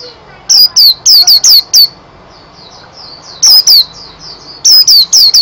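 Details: Energetic white-eye song of bright, piercing, downward-sweeping chirps in clusters of four or five, separated by quieter strings of thin, wavering whistles, all very high-pitched and clean against faint background hiss.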